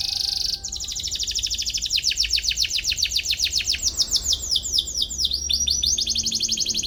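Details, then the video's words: Canary in full song, chirping in search of a rival, used to teach young canaries: a brief high whistle, then a fast, rolling trill of high, downward-sweeping notes that shifts pitch partway through. "KENARI GACOR CUIT CUIT MENCARI LAWAN BIKIN EMOSI"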